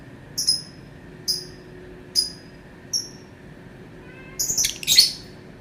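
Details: Lovebird vocalizing: four short, high, clean chirps at regular intervals, then a cluster of rapid, shrill, scratchy notes at the end.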